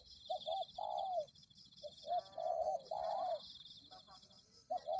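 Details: Spotted dove, or tekukur, coos as a lure call for attracting doves. Paired short notes lead into a longer, drawn-out descending coo, repeated twice, with another phrase starting at the end. A steady high-pitched hum runs underneath.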